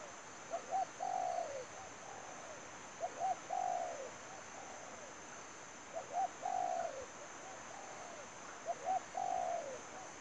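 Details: Decoy spotted dove used in trapping repeats its phrase about every two and a half seconds. Each phrase is two quick coos and a longer wavering coo that drops away, with softer answering coos between the phrases and a constant high whine behind.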